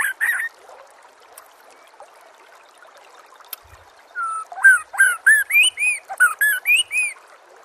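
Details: White-rumped shama (murai batu) singing in a recording for training captive birds: a pause over flowing water, then a lively run of looping, rising whistled notes.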